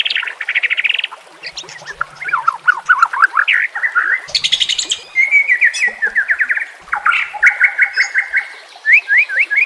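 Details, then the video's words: White-rumped shama singing loudly with a varied repertoire, used as a training recording with water sounds: rattling trills, slurred whistles and a buzzy burst, then strings of rapid repeated notes and sharp upward flicks. "Murai batu FULL NEMBAK dan BONGKAR ISIAN"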